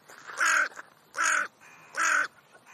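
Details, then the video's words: Crows in conversation: three loud, harsh, rasping caws, each about a third of a second long, spaced evenly about every 0.8 seconds against a quiet background. "Krähenunterhaltung /crow`s talk"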